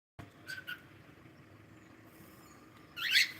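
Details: Pet cockatiel making two quick soft chirps early on, then a loud, harsh, scratchy call near the end. Faint background hum is audible between them.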